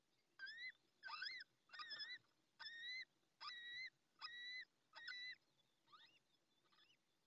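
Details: Little owl chick, hatched minutes earlier at a nest in La Moraña, Spain, calling without pause in its mother's absence; seven clear evenly spaced rising peeps, then quieter fading notes at the end.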